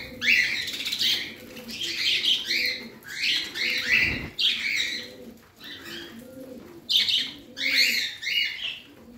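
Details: Pet parrot calling in a steady series of raspy, warbling chirps, grouped in bursts with short gaps, one soft thump midway, and a faint low hum throughout.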